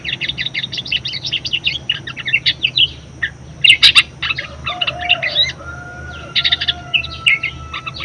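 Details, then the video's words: Budgerigar chattering song used as a master track for other birds: long stretches of rapid high twittering, a few harsh rasping notes, and a faint steady whistle-like tone in the second half. "BURUNG PARKIT PALING GACOR_SUARA MEWAH_COCOK BUAT PANCINGAN & MASTERAN"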